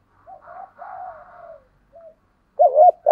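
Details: Spotted dove kept as a lure bird, giọng thổ voice: soft drawn-out coos fading downward, a brief quiet note, then a loud wavering coo.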